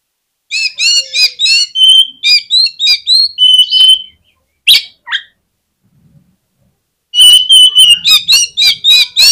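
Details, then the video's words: Oriental magpie-robin song used to provoke other magpie-robins into singing: a fast run of sharp, ringing whistled notes and trills, a pause with two short calls, then another dense burst. "PANCINGAN KACER INI BIKIN GACOR MAKSIMAL || KACER LAIN PUN PASTI BAKALAN KONSLET"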